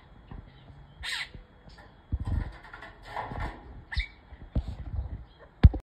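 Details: Purple glossy starling (Lamprotornis purpureus) flying in an aviary gives a few short, harsh, nasal squawks about three seconds apart, over dull low thumps and wing fluttering.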